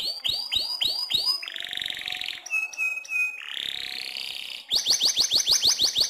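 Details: Actively singing AFS canary, a tutor for white-rumped shamas, switching tours quickly: four swooping notes, a buzzy roll, steady pure whistles, a rising slurred note, then a rapid run of sharp sweeping notes.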